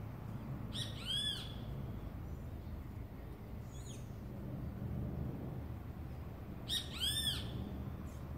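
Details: Trinidad bullfinch recorded in 2018, giving short bursts of rich, stacked descending notes around one second and again near seven seconds, separated by a quieter note, over steady low rumble of traffic.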